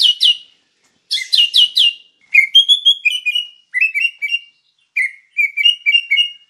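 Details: White-rumped shama singing for use as a training master: fast groups of sharp chirps followed by sweet fluty whistles that step up and down in short repeated phrases, clean with no background noise.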